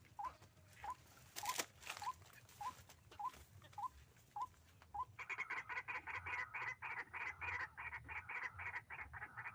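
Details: White-breasted waterhen, wild bird during trapping with a hanging snare, described as very fierce: a regular series of short upslurred notes, about three every two seconds, then a dense run of harsh, grating croaks.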